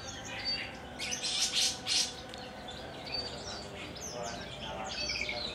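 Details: Javan bush lark kept in a collection in Kulon Progo, Java. A short burst of loud, harsh, high chirps near the start, then softer scattered twitters over background murmur.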